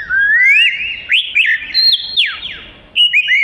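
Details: Oriental magpie-robin (kacer), gacor singing suitable for isian: a long rising whistle, a string of separate upslurred and downslurred notes, a brief lull, then a final burst of bright whistles.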